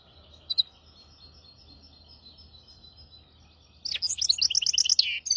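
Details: Hybrid finch singing a training song for goldfinches and canaries, styles maestro, hafada and widani: a faint thin tone and two short clicks, then nearly two seconds of loud, rapid, high twittering notes slurring downward.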